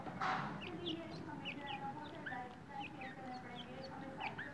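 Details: Grey francolin chicks giving many soft, short, high peeps, scattered irregularly through the clip over a steady background hiss.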